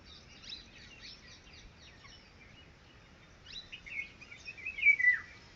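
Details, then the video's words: Red-wattled lapwing, locally Titehari or Titodi, with chicks: after a background of thin high chirping, a few louder, sharp downslurred notes come close together near the end, over faint hiss. "Red wattled (Titehari)Baby|Bird sounds|Cute Titodi Baby|"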